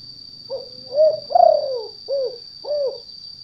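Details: Spotted dove lure call in the 'kuk 2' style, used for trapping in gardens or rice fields: five low, rounded coos, the middle pair longer and louder, over a steady high electronic whine.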